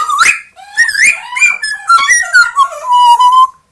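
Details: Pet grey parrot, two years old, and Amazon parrot, one year old, indoors; loud run of whistled notes sliding up and down, ending in a long, steady whistle.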